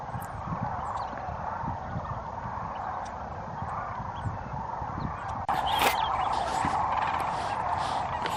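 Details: A large migrating flock of sandhill cranes at their roosting site in Pixley National Wildlife Refuge, California, gives a dense, continuous chorus of rolling, rattling communication calls said to carry miles. A sudden burst of noise comes midway.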